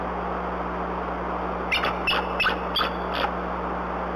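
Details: A female bald eagle at the Decorah nest, before dawn on 17 April 2020, calls in defence against an owl harassing the nest. Five thin, high chittering warning notes about a third of a second apart, over a steady low electrical hum.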